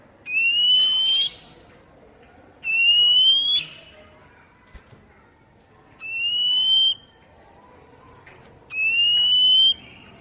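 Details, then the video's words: Poci-type Oriental magpie-robin, recorded as a lure to make untamed kept birds sing quickly: four long, clear whistled notes, each gently rising and about a second long, repeated roughly every two and a half seconds, some with short buzzy bursts. "Masteran kacer bahan biar bunyi nyaut langsung on"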